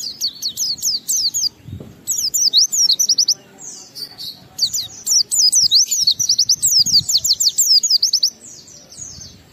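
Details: Oriental white-eye song played to coax other white-eyes into singing, made of fast repeated high zigzag trills in bursts of about a second, separated by brief gaps, with faint low thumps.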